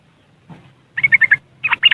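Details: Yellow-vented bulbul in West Java, Indonesia, chattering riwikan-style on an Android phone recording used to lure caged bulbuls into song: after a soft note, two quick bursts of bright, rippling chirps.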